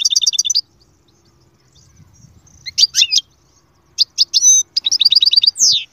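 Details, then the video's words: Goldfinch song opening with a quick rattling trill, then a pause, then bright twittering phrases and a fast run of repeated high notes ending in a descending sweep. "أقوى تغريد مقنين يجعل المقنين الساكت يسير"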